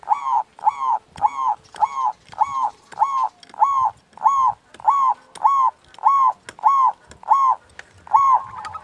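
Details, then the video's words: Local zebra dove singing loudly, with a big voice; evenly spaced arched cooing notes repeated about every two-thirds of a second in a steady series. "Perkutut Lokal Gacor Suara Besar"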